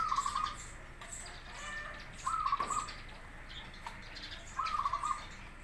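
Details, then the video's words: Zebra dove, local or crossbred, singing so other doves answer: three short stuttering coo phrases spaced about two seconds apart, with faint high chirps and light rustling behind. "Suara perkutut lokal vs Krosing cocok untuk masteran pancingan langsung Nyaut"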